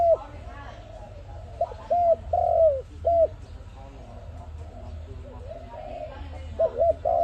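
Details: Dove giving short, mid-pitched arched coos in clusters of two or three, separated by pauses, over a steady low rumble; dove sound intended for use in trapping.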